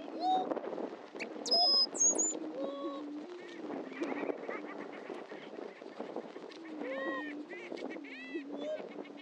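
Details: Greater prairie-chickens displaying at a historic Missouri lek, Dunn Ranch Prairie near Hatfield: low hooting drone, a few loud high squeals early on, then repeated arched whoops and cackles.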